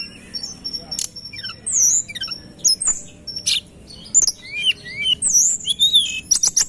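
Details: Tledekan gunung song used as a lure, with dense high whistled phrases, sharp rising and falling slurs and short clicks overlapping in a busy rapid chorus.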